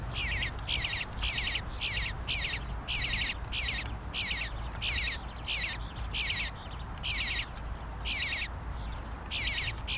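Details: Male bluebird fledgling begging insistently for food: loud, harsh, rasping squawks repeated about twice a second for ten seconds, each burst a short chattering rattle, over a faint low hum.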